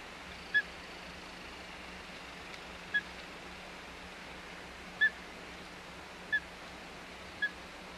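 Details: Osprey at the Hog Island nest, 25 May 2021: five short, isolated whistled chirps spaced irregularly over eight seconds, faint against a steady low background hiss.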